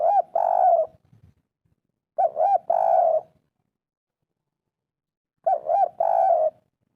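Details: Spotted dove of the 'kuk 3' style, a local wild voice used as a lure to set quiet birds calling: low hollow coo phrases, a quick double note then a longer drawn coo, repeated three times about every two and a half seconds.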